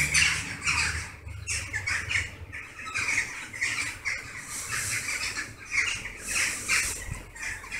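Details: Hundreds of western jackdaws assembling at their favourite evening roost in August, circling and regrouping; bursts of short, harsh calls come in rolling waves, with faint low rumble beneath.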